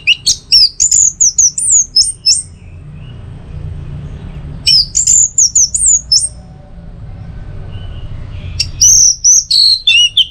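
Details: Orange-headed thrush, used as a tutor and trigger recording for a kept bird's teler song: three bursts of high, sharp whistled and trilled phrases, sliding up and down, separated by pauses with a low background rumble.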